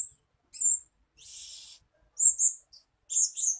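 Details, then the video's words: {'caption': 'Lure sound of a blue-crowned hanging parrot for attracting birds. Sharp, shrill high chirps are broken by one longer raspy, buzzy note. Closely spaced double and triple tsit notes follow.'} "Suara-Suara Denak Pemikat Burung Serindit Dada Merah"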